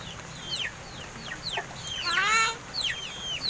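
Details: Mynas aged about seven months, kept and raised at home and now said to speak, give quick descending whistled chirps and a loud harsh squawk with layered harmonics around the middle, over faint hum.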